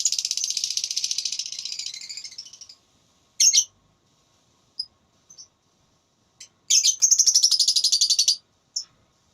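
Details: Lovebird in a singing contest, a voice battle, giving ngekek song: two long, fast, buzzy high trills of evenly repeated notes, each lasting about two seconds, with short sharp chirps in the gap between them.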